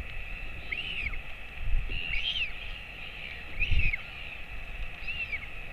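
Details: Royal albatross father feeding his 217-day-old chick, which hatched 23 January 2024, at a colony webcam, 11:35 am on 28 August 2024; arched whistled calls repeat about every one and a half seconds over low rumbling wind noise.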